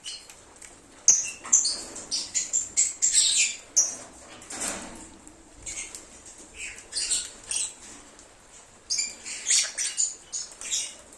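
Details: Lovebird song meant to lure an escaped bird back: rapid, irregular strings of thin, high chirps and squeaks, with a quieter stretch in the middle before the chatter picks up again.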